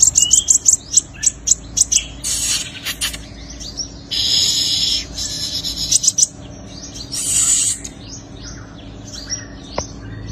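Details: Sunbird (five-colour sunbird) in fighting song used as a lure: fast series of piercing high chirps and upsweeps, broken by several loud hissing bursts of noise.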